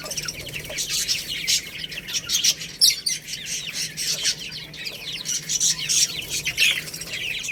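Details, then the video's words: Chicks feeding on rice fill the air with a continuous high chirping of many short falling peeps, interrupted by sharp taps and rustles. "Beautiful Little Chicks Chirping Sounds"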